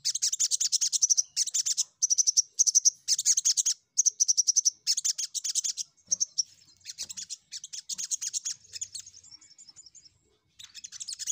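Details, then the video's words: Crimson sunbird singing continuously as a lure to provoke rival birds: dense, very high-pitched trilled phrases about one second long, repeated back to back, then a looser stretch of scattered chirps, a short gap, and another trill. "Pancingan SogokOntong Gacor N3mbak Memanggil Lawan"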